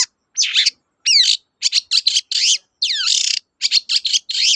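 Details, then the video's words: Long-tailed shrike in lively full song, used to prompt silent shrikes to sing again: a fast run of varied high harsh notes and sweeping whistled slurs, some rising, some falling, in short bursts with brief gaps. "BURUNG CENDET GACOR TOET-TOET, memancing cendet macet kembali gaco"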